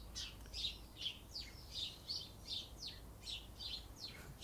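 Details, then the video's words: Several alarmed sparrows in England on a sunny 13 November 2020 give a rapid run of harsh, overlapping chirps, about one or two a second. They are panicking, possibly afraid of the person nearby. "and they are panicking you see so that is the sound that sparrows make when they are panicking"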